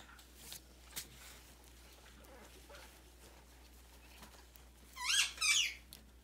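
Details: Six-month-old pet red-fronted macaw asking to be petted and have its itchy new feathers scratched. After a quiet stretch with faint rustles, two loud, harsh, grating squawks come back to back near the end.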